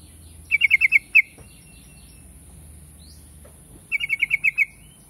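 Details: Yellow-vented bulbul (trucuk): two short bursts of fast, ringing chirps about three seconds apart, with a faint steady hum beneath.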